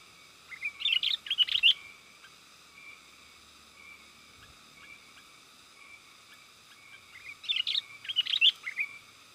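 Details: Energetic sooty-headed bulbul calling, used to lure wild bulbuls in the forest: two bursts of rapid chattering chirps about six seconds apart, with soft scattered notes between them over a steady background hum.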